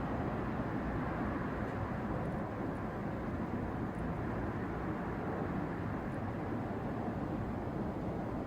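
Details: Dense, even broadband rumble like passing traffic or aircraft fills the whole stretch, with no crow or other animal calls.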